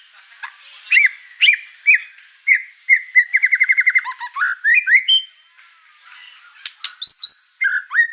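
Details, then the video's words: White-rumped shama in an over-emotional burst of varied song that makes the other household birds furious: spaced whistled notes, a rapid buzzy rattle, then rising high whistles. "Murai Batu Over Emosi Bongkar materi"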